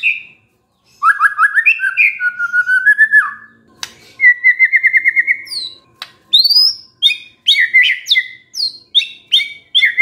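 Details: A White-rumped shama sings in a lure track meant to make stressed birds sing. Rapid bubbling whistles lead into a long even trill, then a string of separate sharp whistled phrases that sweep up and down.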